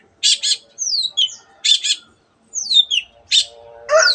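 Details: Long-tailed shrike mimicking canary and other birds. Paired scratchy rasps alternate with clear, falling whistled slurs, and the passage ends in a harsh nasal squawk.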